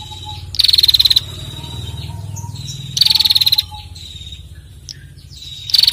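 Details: Female bar-winged prinia making ngetir trills to set other birds singing: two full buzzy pulsed bursts and the start of a third, about 2.5 seconds apart, over a low steady hum and faint whistles.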